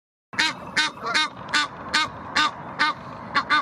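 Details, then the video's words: Aggressive Egyptian geese defending their territory at the Blies, Ludwigshafen am Rhein: loud, harsh, nasal honks with rich harmonics, repeated about every 0.4 seconds in an even series after a brief silence. "Aggressive Egyptian Geese defend their territory - Aggressive Nilgänsen verteidigen ihren Territoriu"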